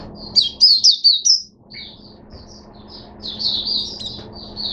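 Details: Caged Oriental white-eye bursts into song: a loud run of four sharp high chirps, a short pause, then softer rapid twittering rising into a busy warbled phrase, quiet background.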